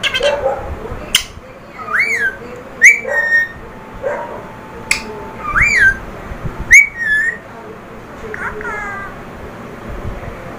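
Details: Rose-ringed parakeet, a talking pet parrot, giving repeated clear whistled notes that rise and fall, with sharp clicks and short bursts of chatter between them, roughly every second or two, over a quiet indoor background.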